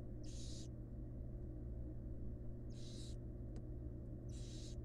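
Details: Wild barn owls at a monitored nest box, the female feeding her fledglings: three rasping, breathy hisses about half a second long, separated by gaps of around two seconds, with a faint click and a steady low hum.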